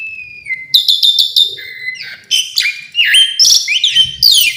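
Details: Whistled and buzzy mixed phrases from an Asian pied starling's varied song: a level high whistle, clustered metallic notes, low downslurs and scratchy bursts in quick succession.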